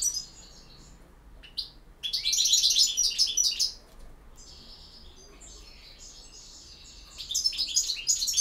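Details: European goldfinch singing in the campero song style: bursts of rapid, tinkling, high twittered notes with buzzy trills, separated by short pauses, the final phrase building again near the end.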